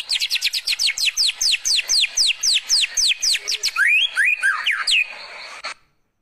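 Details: A white-rumped shama pours out canary-like 'kenarian' phrases: a rapid run of falling whistles, about four a second, then varied swooping and rising notes before it stops abruptly.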